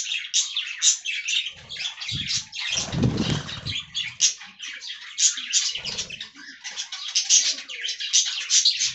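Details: Budgerigars feeding on fresh green leaves chatter in rapid, scratchy bursts of chirps and squeaks, with a short loud whoosh of flapping wings or rustling in the middle.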